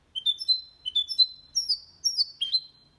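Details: Goldfinch × canary hybrid producing a series of short rising chirped phrases, about four groups in three seconds, high and clear, from a clean-singing recording for stimulating males and teaching young birds.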